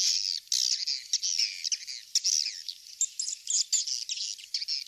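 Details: Swiftlet calls from a lure recording known as King's Star, used to attract swiftlets to nest houses: dense, high, chattering twitters and buzzy trills that run almost without pause, with no other sounds.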